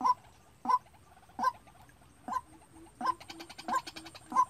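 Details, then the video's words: A trapping decoy White-breasted Waterhen calls by itself: loud, short honking notes repeated about every 0.7 seconds, coming quicker and mixed with rougher buzzy notes near the end. "Tiếng quốc đi bẫy"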